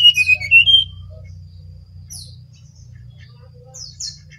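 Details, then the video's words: Energetic song of a brown-chested jungle flycatcher from Bali: a quick run of clear whistled notes rising then falling, followed by sparse high chirps and short slurred notes, with a constant low hum beneath. "Sinkatan rimba dada coklat (SRDC) Bali Gacor"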